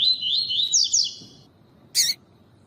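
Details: Double-collared seedeater, pure tui-tui song style used to train and excite males, with a female piping: a fast run of bright, warbled and slurred high notes lasting over a second, then one sharp piercing chirp.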